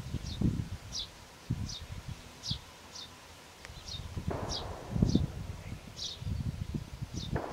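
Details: Eurasian tree sparrow nestlings inside a nest box, ready to fledge and leaving it one day after recording; thin, high, hissing calls repeated about twice a second over dull rustling and knocking from the box.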